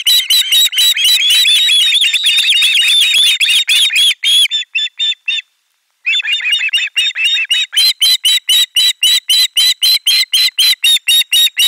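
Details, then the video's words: Ospreys calling in chorus at a nest in Finland, 18 July 2022, as fish is received; dense overlapping shrieks, a short lull, then steady rapid shrill piping notes, about four per second. "Kala otetaan vastaan äänekkäästi kuorossa kiljuen"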